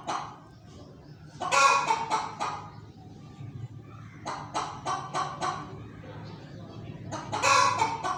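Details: Hen calling in groups of harsh, raspy squawks and clucks, several short notes per burst with pauses between, set against a steady low hum.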